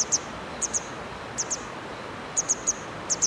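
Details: Sharp, high zit-zit calls of a grey wagtail on the Hönne riverbank in Menden, delivered in doubles and triples at short, irregular intervals, clear above faint background hiss.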